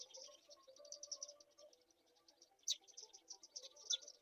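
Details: Black-shouldered kite chicks being fed a mouse keep up a soft, rapid, high twitter, broken by two louder piercing squeals, over a low tonal murmur.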